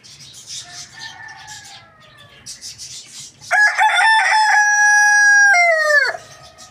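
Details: A rooster crowing loudly in the morning: after a faint, distant crow and twittering small birds, a loud, long, harmonic crow holds steady, then drops sharply at the end.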